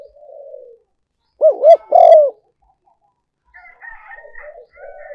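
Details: Spotted dove decoy call meant to lure birds: a soft low coo, silence, then two looping warbled notes and a strong drawn coo, followed by faint higher chattering notes.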